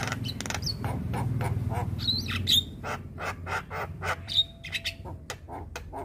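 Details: Javan myna, a white-eyed jalak kebo, in pumping chatter used to tutor young mynas: scattered sharp chirps and short whistled notes over a steady low rumbling hum.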